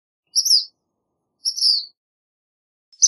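Black Phoebe giving thin, high, sibilant two-part phrases about a second apart, the second one dropping in pitch; a third begins at the end over a quiet background.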